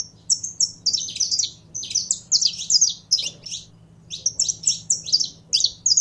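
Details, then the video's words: Saffron finch in captivity, handled to heat it up for singing. Runs of bright, high, slurred chirps pour out rapidly, with one clear pause midway, and a faint low electrical-like hum sits underneath. "Canário da Terra Esquentando em 3 2 1!!!"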